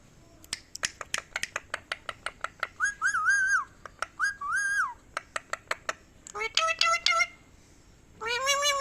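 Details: Talking ringneck parrot mixing rapid dry clicks with short arched whistled phrases, then a burst of harsher stacked tones and a final rising nasal note.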